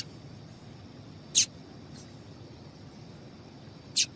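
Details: Female double-collared seedeater, a call played to warm up males and make them sing: two loud sharp high chips roughly 2.6 seconds apart, with a faint extra note between them over low hiss.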